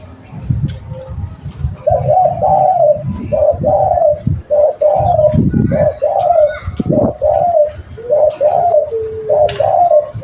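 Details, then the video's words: Local spotted dove used as a lure bird, giving repeated mellow cooing phrases around every second and a half, each a short rising-falling coo series, with low thumps and background noise throughout. "Tekukur lokal buat pancingan"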